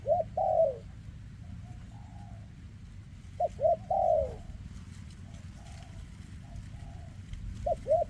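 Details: Spotted dove, a 2024 bird whose leg trembles, delivers kem ruoc cooing. Paired quick hooked notes lead into a drawn-out sliding coo with faint follow-up tones, three phrases in eight seconds above steady low background hum.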